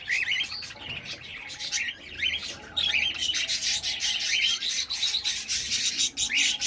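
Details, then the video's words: Baby cockatiel making rapid, raspy chirps and harsh scratchy squawks in quick, almost continuous bursts, some notes briefly rising in pitch. "Baby cockatiel"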